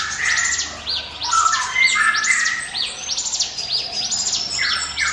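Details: Lure song of a bar-winged prinia in the 'ngiwit wit' style, used to draw other birds: clustered high arched chirps over several sliding mid-pitched whistles, continuous and lively.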